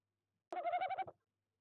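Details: Tawny owl visiting an owl nest box at night, calling at 23:26 CET, late January 2021: a single short, mellow, quavering note just over half a second long, its low tone trembling rapidly; nothing else heard.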